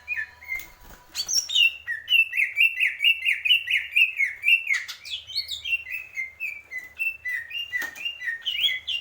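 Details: Greater green leafbird singing a long, fast run of clear whistled notes that rise and fall, several per second, mixed with high squeaky twitters and a few sharp clicks.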